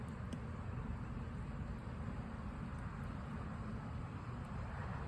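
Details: Steady low vehicle rumble fills the recording, with a few faint high clicks and no animal voice heard.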